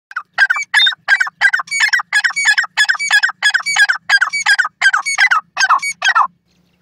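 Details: Francolin (teetar) calling in the wild: a loud, harsh, grating series of broadband notes repeated about three times a second for six seconds, steady and rhythmic, then stopping abruptly; quiet background.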